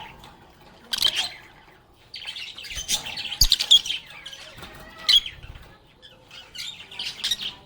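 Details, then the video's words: A flock of lovebirds singing and talking: irregular bursts of high chirps and squeaky chatter, louder in the middle, with soft thumps and a low background hum. "Lovebirds agapornis sounds | Relaxing Sounds of Singing, Playing, and Talking Parakeets"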